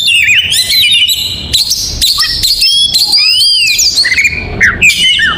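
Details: Morning singing attributed to an oriental magpie-robin: sweet sliding whistles and short trills with some sharp clicks and scratchy sounds, a varied high-pitched stream.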